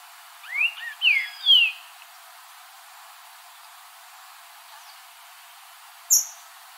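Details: Green-winged saltator singing in the wild: three loud rich slurred whistles, the last a long rising-then-falling note, within about a second, followed by silence and a sharp click near the end.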